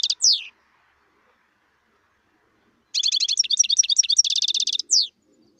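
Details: Wild European goldfinch: a single descending slurred note, a long silence, then a rapid twittering phrase with a buzzy rattling trill and a final falling note.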